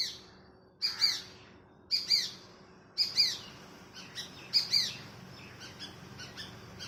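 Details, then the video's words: Shikra, a female perched in a neem tree in the morning, calling: sharp, high, shrill double notes repeated roughly once a second, trailing into fainter clipped notes over a quiet background. "Shikra Bird Calling"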